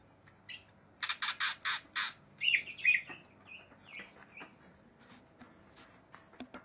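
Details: Greater green leafbird raging for a rival: five evenly spaced harsh rasping bursts, then twisting squeaky whistles and scattered softer clicks fading toward the end.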